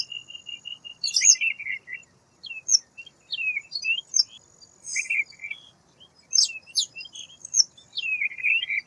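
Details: Repeated bouts of high chips, downslurred whistles and sharp ticks from a white wagtail, grouped in bursts about a second apart, in a quiet setting.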